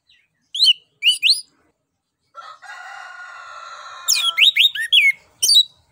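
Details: Orange-headed thrush singing in a lure-sound recording, with quick, high sweeping whistles paired into short bursts, a long buzzy, nasal phrase in the middle, then a rapid run of varied notes.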